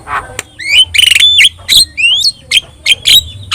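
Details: Javan myna, yellow-eyed, in lively song for tutoring other birds: strained buzzy squeals and wheezy upslurred whistles in short separate bursts, with faint hum behind.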